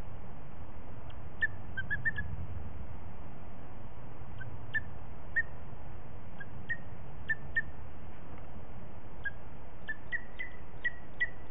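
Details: Booted eagles at the nest in Els Ports Natural Park, 21 April 2018 at 17:21: after laying her first egg, the female shows it to the male. Scattered thin, short chirps, some doubled or in quick clusters, over a constant low hum.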